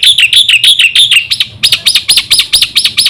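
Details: Black-winged myna in full song, used as a lure for other mynas: fast chattering whistles sliding into a regular series of looping arched notes.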